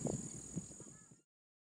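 A spotted rail gives a quick run of low, grunting pulses lasting about a second, over a steady high-pitched whine.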